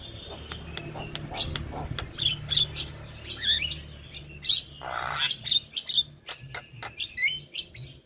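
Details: Male Javan myna in full voice, a tutor bird for training other mynas: scattered short sharp whistles and clicks, one harsh rasping burst midway, over a low background hum.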